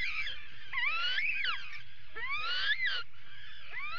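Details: Atlantic puffins at a nesting burrow during an attack, 19 July 2019, live camera: repeated moaning calls that rise then fall in arcs, roughly forty a minute, irregular, with steady low background hum.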